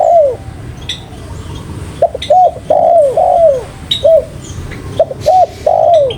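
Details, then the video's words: Spotted dove giving a vigorous cooing phrase: a brief coo, a pause, then runs of short arched hoots ending in a longer falling coo, repeated, while small birds chirp faintly in the background. "Burung Tekukur Paling Gacor"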